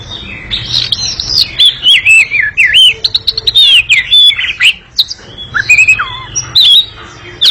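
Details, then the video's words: Oriental magpie-robin (kacer) giving a long, fast, noisy chattering song ('ngekek panjang'): tumbling whistled notes, slurs and sharp chips that sweep up and down without pause, with brief breaks between bursts. "Kacer ngekek panjang sangat gesit dan berisik"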